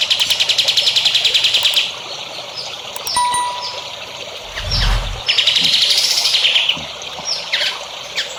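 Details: Songbird master recording used to train young contest birds: a rapid high buzzy trill of evenly repeated notes, then assorted short whistled sweeps and a low thump, with a second high trill later over steady background hiss.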